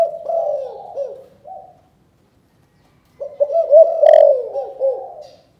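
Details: Spotted dove calling, Cần Thơ, Vietnam, chụp chụp ô style: drawn-out low cooing that tails off, a silent gap, then a fresh phrase of quick throaty notes swelling into a loud falling coo.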